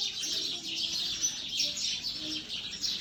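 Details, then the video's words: Several sparrows chirp continuously in a dense, overlapping chatter of short high notes with no pauses. "Sound of sparrow"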